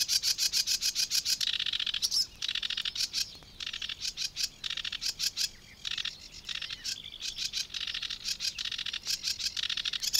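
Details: Sedge warbler singing in the Matsalu reed beds: a fast, scratchy chatter of rapid repeated notes, broken by buzzy trills and sudden whistled phrases that keep changing pace.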